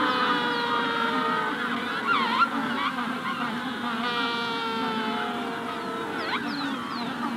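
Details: Magellanic penguins calling in a colony at the hatching stage, with a Rufous-collared Sparrow in the background; dense overlapping harsh, braying honks with stacked harmonics, plus brief high sparrow notes around two and six seconds.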